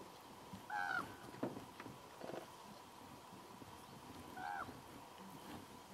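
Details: Common Raven calling in the background while a brown bear eats put-out salmon at a hide at Kuikko, near the Russian border in Finland, with a white-tailed eagle also present. Two short harsh croaking calls about four seconds apart over low rumbling background noise.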